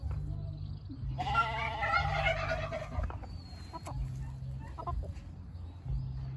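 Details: A giant Brahma rooster, nearly turkey-sized, gives one hoarse, drawn-out crow of about two seconds, rising then trailing off, over a steady low mechanical hum.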